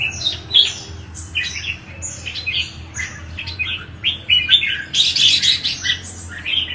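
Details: Song of red-whiskered bulbul, played to provoke bulbuls to sing: busy run of short squeaky whistles and chirps with a loud burst of harsh scratchy notes near the end, faint low hum beneath.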